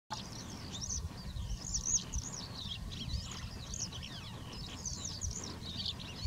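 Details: A black-headed wagtail (Motacilla flava feldegg) gives a steady stream of high, thin chirps and slurred notes over a constant low rumble of wind or distant traffic.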